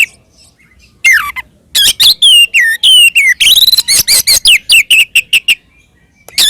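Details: Oriental magpie-robin fighting song intended to provoke rivals: after a quiet start, loud swooping whistles and downslurred notes, then a rapid series of short sharp chirps ending in silence.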